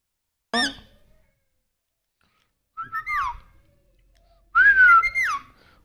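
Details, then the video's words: A pet parrot making loud whistled calls indoors: a sharp downward burst, then two rising-and-falling whistled phrases a couple of seconds apart, with silence between. "mitthu talkinng mummy papa || मम्मी पापा बोलने वाला तोता"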